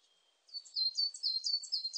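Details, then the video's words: Coal tit singing in a 2020 recording: a thin, steady high whistle, then rapid repeated bright two-part notes, each sliding downward, about four per second. "진박새, 여러번 듣기, 곤충소리, 새소리"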